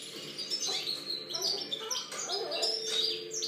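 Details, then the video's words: A European goldfinch recorded in 2013 sings a fast, tinkling run of high twitters and liquid trills, with bright chirps mixed into a busy, continuous flow. "Chant chardonneret"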